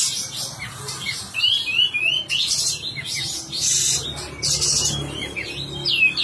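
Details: Sooty-headed bulbul singing energetically with tail spread, in a tutor recording for training cage birds: short liquid whistled phrases rising and falling, overlapping, with loud noisy hissing bursts between them.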